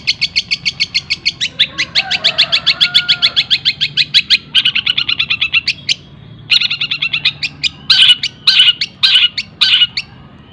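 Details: Long-tailed shrike singing mimicked kingfisher and sparrow fills as tutor material: long fast chattering trills broken by short pauses, ending in loud rasping squawks spaced about half a second apart.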